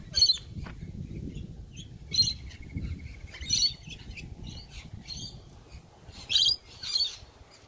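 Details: Sulphur-crested cockatoos on a morning visit, giving harsh, grating screeches spaced a second or so apart, with a brief rapid stuttering chatter from another bird and a low background rumble.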